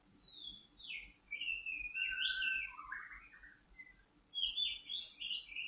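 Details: Singing white-rumped shama, recorded for conditioning to calm its temper and breeding urge: varied whistled phrases sliding up and down, some clear sustained notes, a pause, then another burst of rich warbling.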